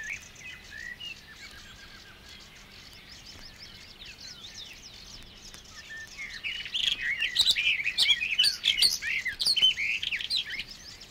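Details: Barred Warbler singing in Matsalu water-meadows and coastal pastures, USSR field recording from 1979: quiet background bird chorus with thin whistles, then a loud burst of rapid scratchy, chattering warbling notes in the final seconds.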